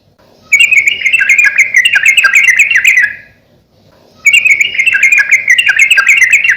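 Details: Sooty-headed bulbul song used as a training and luring recording for kept birds: two bursts of rapid, chattering notes near the same pitch, each lasting about two to three seconds, separated by a short silence.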